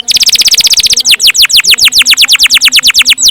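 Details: Canary in long rolling song: a fast trill of downward-sweeping notes that slows slightly after one second into evenly spaced, deep swoops repeated about seven times per second.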